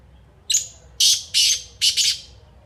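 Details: Black francolin, or kala teetar, with a loud, grating call: a sharp thin lead-in note, then a rhythmic series of harsh buzzy bursts ending in a rapid doubled note.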